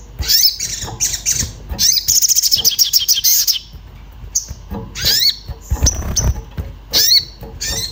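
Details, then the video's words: Orange-bellied flowerpecker, agitated and looking for a mate, used to lure birds into singing: a rapid buzzy trilled rattle of high notes, then separate sharp sweeping chirps about once a second, some low thuds. "Cuit cuit sogon emosi mencari teman untuk pancingan bunyi"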